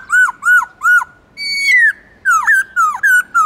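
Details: Black-throated laughingthrush; song; stimulating other captive birds to sing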